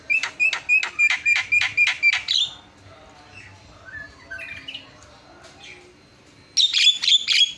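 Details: Javan myna in full song, recorded as tutoring material: a fast series of about ten rasping, clicky notes, then a quieter stretch of soft scattered chirps, and a fresh burst of harsh repeated notes at the end.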